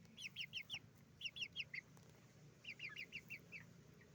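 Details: Chickens on a chicken farm, roosters and hens making noise: bursts of high, thin peeping notes in quick groups of four to five, pausing between runs, over a steady low farm hum.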